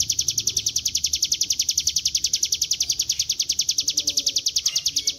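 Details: Rapid ngebren song of a Bar-winged prinia, used as a lure to prompt singing: shrill, evenly spaced chirps repeated about three and a half times each second without pause.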